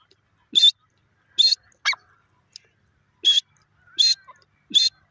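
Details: A teetar (francolin) gives a run of loud, rasping, broadband notes spaced irregularly about once a second, mixed with a few thin, sharp notes, in otherwise quiet surroundings.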